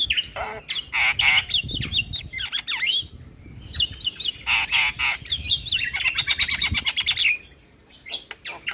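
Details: Javan myna lure song dense with fill-ins, meant to set other mynas calling: harsh squawks and wavering whistles, a fast rattling series of clicks, then a few sharp final notes.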